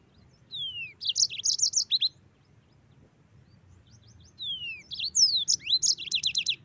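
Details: Two short phrases of yellow-fronted canary song, used to train white-eyes: each opens with a falling whistle, then a quick burst of high twittering notes, separated by about two seconds of quiet.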